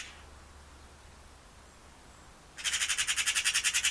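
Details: Eurasian magpie: after a quiet stretch, a loud, harsh, machine-gun-like chattering rattle of rapid, evenly spaced pulses fills the last second and a half.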